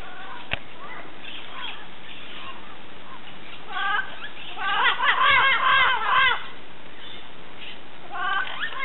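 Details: Birds in Costa Rica give harsh, nasal, harmonic-rich calls. After a mostly quiet start, a dense burst of overlapping calls comes near the middle, with another short burst near the end, over a steady background hiss.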